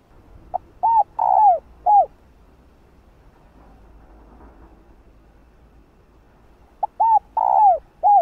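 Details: Female spotted dove calling males with mellow arched coos and a long falling middle note, the phrase repeated after nearly five seconds of quiet.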